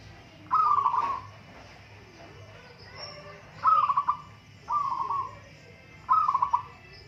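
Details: Zebra doves, local birds, in a song contest; four bright pulsed coo trills spread over several seconds, with softer background dove calls and faint clicks between phrases.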